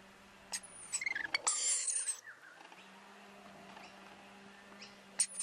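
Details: Rainbow lorikeet family on a balcony, wild parents feeding two babies nectar; a burst of quick clicks builds into a harsh, very high-pitched screech lasting about half a second, then quiet, with another short shrill note at the end.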